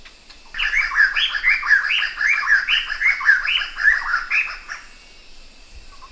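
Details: Black-hooded laughingthrush giving a run of about nine loud, rising whistled notes close together, then falling silent, with a faint low rumble in the background.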